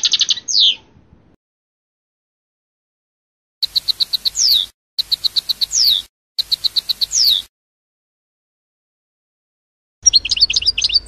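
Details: European goldfinch passades: a falling note, a silence, then three quick repeated phrases of rapid buzzy pulses, each ending in a downward slur, and a final jumbled twitter over a faint low rumble.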